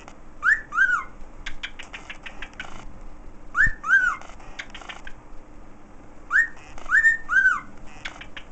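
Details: Pet bird whistling the Andy Griffith theme: short bursts of two or three clear, slurred whistles that rise then fall, repeated about every three seconds, with clicky chatter between phrases and a faint steady hum underneath.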